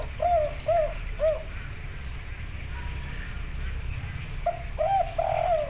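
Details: Female local zebra dove of the white-barred type calls to a male, wanting to mate: three quick arched coos, a pause with low rumbling noise, then another run of rolling cooing notes.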